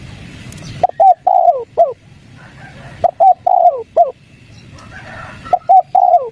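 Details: A wild spotted dove gives soft, mellow coos in groups of three or four, the last note dropping, repeated about every two seconds over a quiet background.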